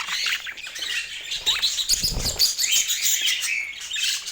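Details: Busy budgerigar chatter: layered high chirps, twittering warbles and scratchy squawks, with a few clear upslurred whistles standing out and a brief low thump near the middle.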